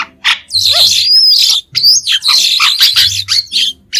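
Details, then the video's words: Clean recording of a white-shouldered starling: an opening squeaky slur and a long rising-then-falling whistle, then continuous rasping, twittering chatter with a final thin whistled note. "Tiếng chim Sáo đá trung quốc không tạp âm | White-shouldered Starling | นกกิ้งโครงแกลบปีกขาว"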